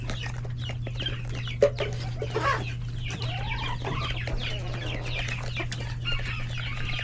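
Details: Busy chicken coop at lunch time with roosters and chicks: dense chorus of faint chick peeps and soft clucks, one rising squawk mid-clip, over a strong steady low hum.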